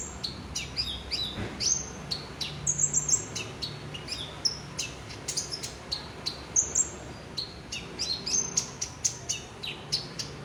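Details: Olive-backed sunbird (konin) in energetic song: a fast series of sharp, very high ticks and short squeaky whistled notes, uneven rhythm, with a few bright trilled bursts standing out over a quiet background.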